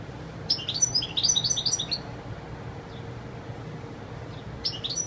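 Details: Wild-singing European goldfinch: a burst of quick, high, tinkling twitters lasting about one and a half seconds, then near quiet with a faint steady tone, and a short new phrase at the end.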